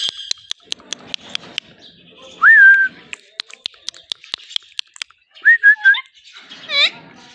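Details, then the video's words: Pet green ringneck parakeet in India, talking. A run of sharp clicks comes first, then a pure whistled note that rises and levels off. Later come short rising and falling whistles and a harsh, layered squawk near the end. "Best talking parrot in India || green parrot natural sound || amazing talking parrot"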